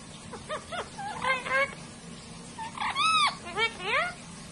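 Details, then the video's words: Parrots talking to each other like humans: a string of speech-like syllables, squeaky rising and falling vocal sweeps and short phrases that trade back and forth, over a low steady background hum. "Parrots incredibly talk to each other like humans"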